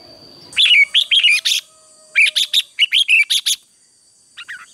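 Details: Red-whiskered bulbul singing in the morning as competition song for training caged birds: two loud series of rapid, bright chirped notes with down-slurred whistles, each about a second long, then a soft brief phrase.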